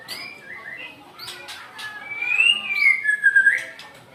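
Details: White-rumped shama, described as angry, singing loud whistled phrases that slide up and down, with clicks and short sharp notes in between.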